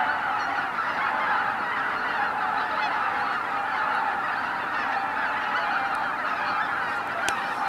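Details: A vast flock of greater white-fronted geese, tens of thousands strong, lifting off at sunrise at Izu-Numa in Miyagi, Japan, producing a continuous roaring wall of mixed honking calls with occasional sharper individual notes.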